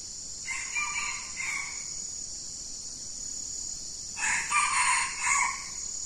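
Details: Red junglefowl crowing in the wild as a trapper lures two birds close together with a decoy; a short harsh crow, then about three seconds later a louder, broken multi-part crow, over a steady high insect drone.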